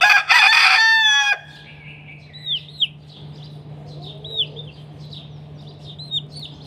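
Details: Chickens fighting in the morning: a loud, harsh, harmonic squawk lasting just over a second, then quiet, high, downslurred peeps repeated irregularly, with a steady low hum underneath.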